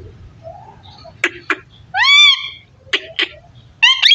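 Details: Parrot talking: pairs of sharp clicks around a loud arched voice-like call, ending on a rising whistled phrase.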